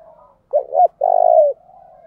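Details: Decoy spotted dove, ground type, calling to lure and provoke other doves to sing back. Two quick swooping coos run straight into one long, level, slightly trembling coo, with softer cooing from another dove around it.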